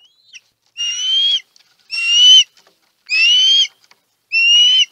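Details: Osprey at its Chesapeake nest as food is delivered, March 2018, live nest camera: four drawn-out, level whistled calls, each about half a second long, evenly spaced a little over a second apart.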